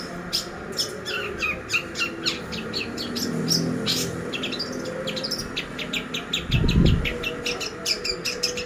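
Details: Long-tailed shrike song used as a lure to train caged birds: rapid, varied high chirps and short sharp notes repeated several times a second, with brief low thumps and faint background hum.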